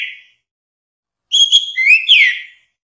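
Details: A brief clipped note from an orange-headed thrush is followed by a bright whistled phrase: a steady high whistle, then rising and falling slurred notes. There is silence around it.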